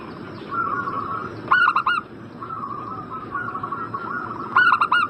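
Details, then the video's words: Zebra dove lure call intended to make a bird in breeding mood respond fast: two bright, clipped bursts of four cooing notes three seconds apart over a bed of soft, wavering warble. "Pancingan burung perkutut Agar Cepat Nyaut"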